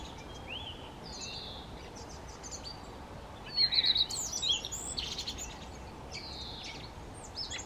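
A common redstart sings short, high, sweet phrases that run into a brief chattering flourish, against steady background hiss with other faint birds.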